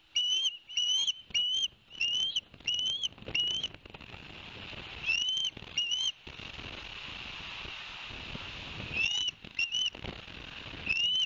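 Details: Ospreys at Barnegat Light, 11 September 2021, following a delivery of two fish: bursts of bright rising whistles, a few seconds of breezy hiss with no calls, then more whistles.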